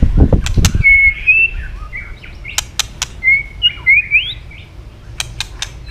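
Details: White-rumped shama, tail flicking, stimulated into fighting song: loud clicks open, then clear whistles and a rising whistled flourish, with scattered sharp clicks near the end.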